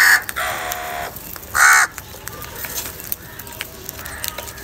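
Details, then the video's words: Crow heard during fighting and calling for food, giving two loud, harsh caws close together near the start, each under half a second, followed by quieter scattered clicks and background noise. "Crow bird live Cowing sounds - Crow bird unity anger and sound for food | Crow fighting"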